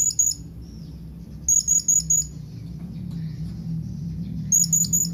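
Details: Blue-crowned hanging parrot calling to companions: three quick bursts of thin, very high staccato notes, each a run of two to five squeaks, separated by pauses over a low steady hum.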